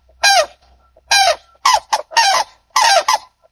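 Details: Harsh, ringing honks from a White-naped crane, about six calls within three and a half seconds, some given as quick doubled notes. Each note has a loud, buzzy, harmonic quality.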